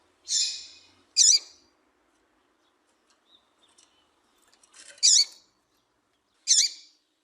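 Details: Female papa-capim seedeater calling, used by breeders to stir males into singing for tournaments; four sharp, high, buzzy chip notes with quick downward sweeps, spaced irregularly over several seconds, with faint soft clicks between them.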